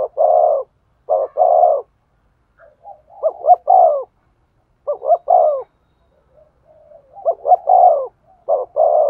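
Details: Spotted dove cooing to stimulate a male to coo: low, hoarse coo phrases of two to four notes, repeated with short pauses between them, with faint softer coos in the gaps.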